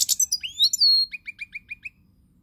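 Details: European goldfinch singing on 20 March 2020: a harsh high burst, then a rising sweeping whistle, followed by a quick row of six short, clipped chirps that fade out.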